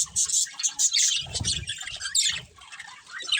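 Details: Colony budgerigars with a breeding pair utter quick high chirps and scratchy chatter, with a low muffled rustle in the middle and a quieter stretch near the end.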